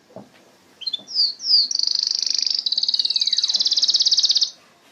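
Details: Canary song beginning with a few slurred whistled notes, then a fast, rolling high trill lasting almost three seconds, with a faint falling whistle beneath.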